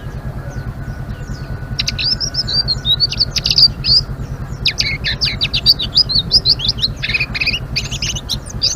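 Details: Blue-winged leafbird in full ngeriwik song: after a quiet start, a long stream of rapid high chattering, clicks and warbled slurs, about three notes a second, irregular in rhythm, over a steady low hum.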